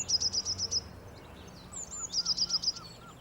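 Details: Eurasian blue tit song on a spring day: two bursts of very high, rapid, thin notes, with softer, lower whistled notes from another bird underneath.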